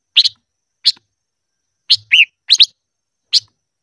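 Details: A silver-eared mesia sings during voice training. Scattered sharp chips are followed by a cluster holding one bent, wavering whistle, then a lone final chip.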